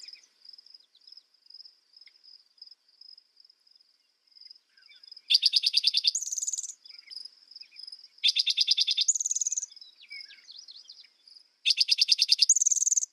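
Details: Three songs from a spotted towhee, about three seconds apart, each a fast stuttering run of notes ending in a high buzzy trill, set against a constant shrill insect-like drone with pulsing beats.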